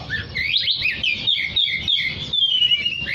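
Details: Actively singing oriental magpie-robin, recorded to call other magpie-robins: a continuous stream of clear, slurred whistles, steeply rising and falling, ending on a long descending note and a sharp upward sweep.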